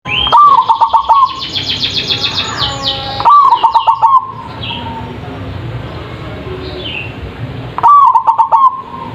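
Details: Zebra dove song used as a lure to make birds answer, loud voice: three short cooing phrases, each a quick run of about six clipped, pulsed notes near one pitch, with soft twittering of other birds and a steady hiss between.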